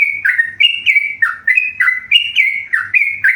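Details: Tame yellow-vented bulbul singing actively: a rapid, steady run of bubbly, slurred whistled notes, each sliding up or down, repeated about twice a second with no pauses. A faint low hum sits underneath.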